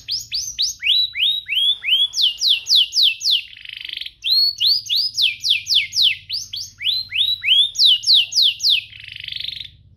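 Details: Canary song used to stimulate other canaries to sing: series of loud rising whistled notes repeated about every quarter second, alternating with falling sweeps and buzzy trills, continuous phrases with a low hum beneath.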